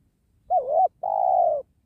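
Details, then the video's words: Spotted dove cooing during wild-dove trapping next to a sacred tree, penguku type: a dipping short note followed after a brief pause by a long, level, burry coo; background quiet. "Bl banggo penguku penghuni pohon kramat"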